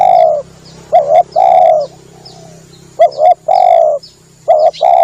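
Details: Spotted dove lure sound: rhythmic phrases of a quick two-part note and a longer warm coo, repeated steadily, with a low background hum throughout.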